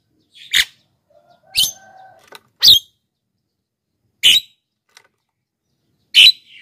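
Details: Rough, explosive squawks from a Black-winged myna, used to lure wild birds and coach lazy singers. Several bursts at uneven intervals, with a faint level whistle in the background early on.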